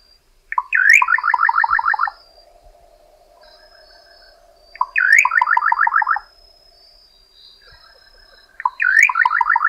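Little nightjar sings three phrases, each an upslurred note followed by a quick, bubbling run of about ten notes, roughly every four seconds, over a faint insect hum.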